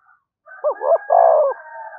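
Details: Spotted dove giving one call phrase used to provoke other doves, two brief low coos then a longer drawn coo, over a faint continuous higher tone in the background.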